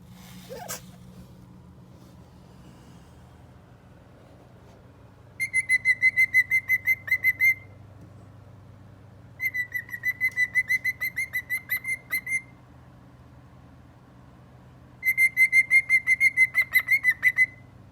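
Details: A male cockatiel (Nymphicus hollandicus) sings happily inside his cage in three bursts of rapid, steady-pitched whistled trills, each lasting about two seconds.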